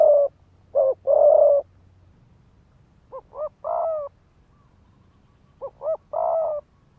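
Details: Decoy spotted dove cooing to provoke males into fighting: a rapid double note rising into a long, slightly falling coo. The phrase is repeated three times with gaps of about two seconds.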